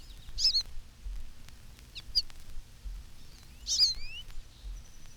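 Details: An American Goldfinch in spring, among birds feeding on dandelion seeds and perching on telephone wires, gives sparse, thin, high canary-like twittering notes in three short bursts about two seconds apart, over a steady low rumble and hiss.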